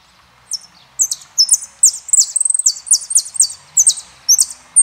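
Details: A saffron finch (Argentine jilguero) sings a string of sharp, high chirps and short slurred notes, with one quick rattling trill midway, with no other sounds standing out.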